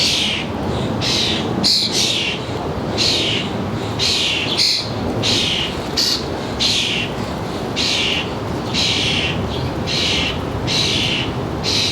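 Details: Suburban feeder birds in northern New Jersey on a July 2022 afternoon, recorded around 4 p.m.: a steady series of harsh, hissing calls, each about half a second long, repeated roughly every second, over a low background hum.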